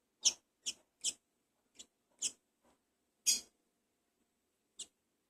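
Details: A Double-collared seedeater (Sporophila caerulescens) chick, a breeder's first brood, begs while being fed, giving sharp, high squeaky chirps, about seven in five seconds at an irregular pace, in an otherwise quiet room.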